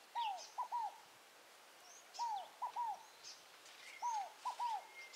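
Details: Wild scaled dove in the wild at Tupi Paulista, São Paulo, Brazil, repeats a low, hollow three-note phrase, a longer falling coo and two short notes, about every two seconds; faint high calls of other birds behind.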